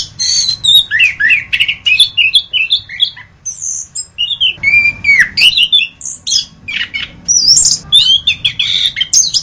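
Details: Loud, rambling orange-headed thrush song from a masteran tutor recording: rapid whistled twists, scratchy squawks and high sliding notes pour out in tight clusters, with one brief lull midway.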